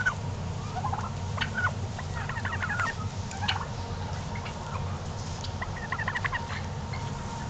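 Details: Several strutting domestic turkeys at home gobble in quick, rattling bursts of stacked notes, fairly distant, over a constant low rumble and a thin steady tone.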